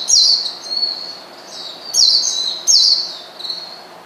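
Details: An Oriental white-eye calling a rival to provoke it utters three short phrases of sharp, very high notes that drop quickly into a thin trailing whistle, spaced under a second apart.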